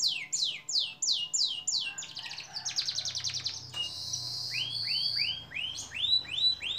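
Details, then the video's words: Canary song for training songbirds over a long duration: falling whistled sweeps, then a dry rattling trill and a sustained high buzzy note, ending in rounded arching whistles repeated at an even pace. "Masteran kenari durasi panjang"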